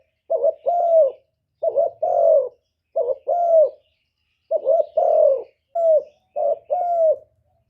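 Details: Lure cooing of a captive spotted dove used as a decoy for wild birds: repeated low two-part phrases, a brief warbled coo then a drawn-out descending coo, about five pairs with short pauses.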